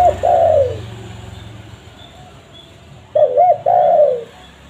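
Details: A spotted dove, recorded for luring wild birds, ends one falling coo. After roughly two and a half seconds of quiet it repeats a full phrase: a wavering double note and a long downslurred coo.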